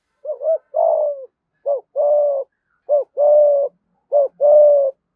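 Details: Spotted dove lure bird giving a full 'thúc gù' series in 'giọng thổ' voice style: low hooting coos in paired phrases, a short note then a longer drawn-out coo, repeated about every 1.3 seconds, clear and close.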